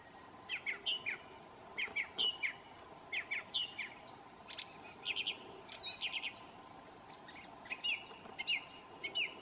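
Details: New Zealand thrush singing a varied run of bright whistled phrases, each short figure repeated in quick pairs or triplets, with brief pauses between, against a constant low background hum.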